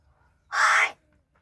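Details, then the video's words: Talking crow at Gargaon, Palghar, said to be angry and speaking in a different voice: one loud, rasping, broadband caw lasting under half a second, while a man calls to it before and after. "गारगाव बोलका कावळा.. आज रागाने वेगळ्याच आवाजात बोलतो..New Vedio Palghar Talking Crow"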